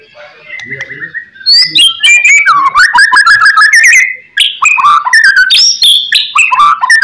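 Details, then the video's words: White-rumped shama lure song used to prompt replies from other shamas: a soft opening whistle, then a loud, continuous stream of quick chirps, rising slurs and varied whistles with hardly a break. "HITUNGAN MENIT SAJA, MURAI BATU APAPUN LANGSUNG NYAUT"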